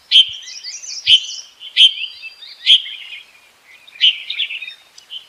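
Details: A bulbul calls for a mate on 28 May 2021, giving a run of loud, bright chirps at uneven intervals of under a second. Each chirp is followed by a short, thin twittering tail, and a brief pause comes before the last phrase.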